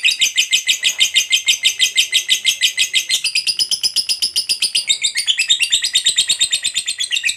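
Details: Fighter lovebird in long ngekek chatter, offered as a lure to get other lovebirds singing; steady rapid high-pitched trill of evenly pulsed notes, rising slightly in pitch after three seconds and dipping briefly near the fifth.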